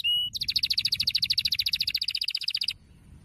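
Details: Brown Norwich canary song: a brief whistle, then a rapid, even rattling trill of chirps lasting over two seconds before stopping abruptly.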